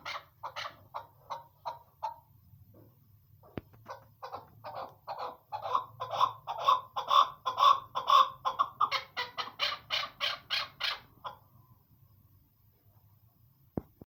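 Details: Female chukar partridge calling: a short run of clucking notes, a pause, then a long rapid series of harsh, rhythmic chuck notes that build in loudness and end abruptly, over a faint low hum, with a couple of sharp clicks.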